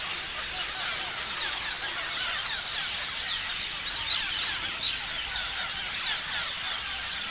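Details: Parrots in a large group chirping, a dense, continuous wash of high, overlapping squeaky chirps and short rising and falling notes with no pauses.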